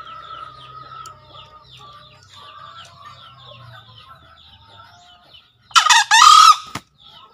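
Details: Busy twittering of small birds leads into one loud green junglefowl crow about six seconds in. The crow is a quick hoarse burst followed by a longer grating note. Meant to stimulate freshly caught birds to call.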